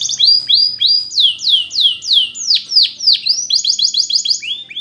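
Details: Russian canary training song: rising whistled phrases, then a run of loud, steeply falling swoops about three per second, ending in a quick chain of short bright notes.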